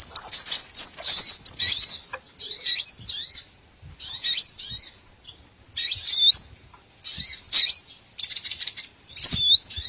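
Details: Lure calls for trapping small birds of all kinds: clusters of high, sharp chirps and curling whistled notes, delivered in short bursts separated by brief silences.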